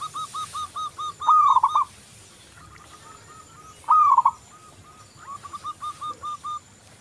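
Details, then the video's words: Zebra dove, a local bird in full song, gives soft rapid stuttering coo series, broken by two louder phrases that begin with a rising, bent note and then dissolve into quick repeated beats. "Perkutut lokal Gacor Anti Galau"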